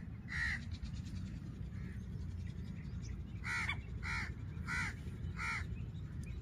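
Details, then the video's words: Female black francolin calling in Layyah, Punjab, Pakistan, used as a hunting lure: a harsh, grating note, then four strong bursts about every 0.6 seconds, over steady low rumbling background noise. "جنگل کی مادی آگئی تیتر کی آواز شکار ویڈیو مادی کی آواز"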